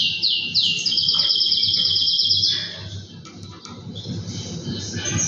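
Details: Male canary, two years old, singing in a cage as its owner draws near; a couple of sweeping notes lead into a fast, bright, even trill, then the song drops to quieter chirps over low room noise.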